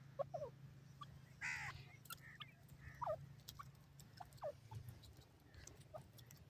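Grey francolin giving sharp, downward-sliding notes in short repeated bursts over a low background hum.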